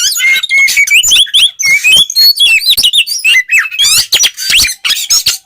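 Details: Caged white-rumped shama in ngeplong style, for provoking other shamas: a fast run of rising whistled notes and stuttering chirps, then a chattering burst of rapid high notes.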